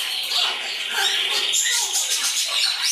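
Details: Fledgling Congo and Timneh African grey parrots flying indoors at a bird shop north of Dallas, Texas: a dense, continuous wash of high, harsh chattering and squawking from many birds, with no clear pauses.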